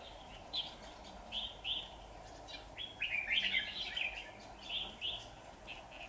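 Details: Red-whiskered bulbul decoy singing during trapping to provoke wild rivals; short bright chirping phrases repeated at a quick, uneven pace, with a denser warbled burst midway, over low steady background noise.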